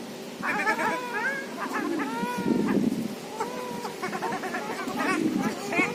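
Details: Ruddy shelducks north of Moscow, Russia, calling almost continuously: many nasal, bleating honks, some rising and wavering, overlapping from several birds, with low murmuring background noise.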